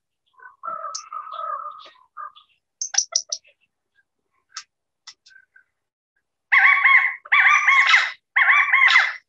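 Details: Introduced California Quail on Salt Spring Island, British Columbia, regular at a yard feeder: soft clucks and sharp pit notes, then three loud, ringing three-note chi-ca-go calls given back to back.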